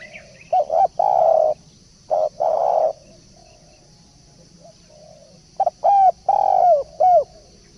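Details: Spotted dove decoy call used as a lure: mellow, hollow coos in short bursts, a cluster of two or three notes early on, a pause, then another run of rounded coos near the end, over faint background hiss.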